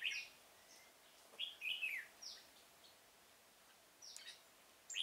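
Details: Decoy red-whiskered bulbul in a pomelo garden trap, 25 October 2017, singing to attract others; rich rising and falling whistled notes in two clusters, then a brief chirp at the end.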